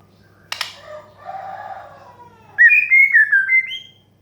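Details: White-rumped shama singing 'desahan menggoda' therapy song to prompt young or stressed birds to sing. A sharp snap and a low, drawn-out rasp lead into a quick string of bright, fluttering whistles that end on a rising note.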